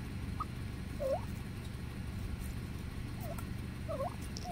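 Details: Wild turkeys in a cemetery give short, wavering trilled notes in scattered bursts every second or two, set against a steady low rumble of wind or background noise.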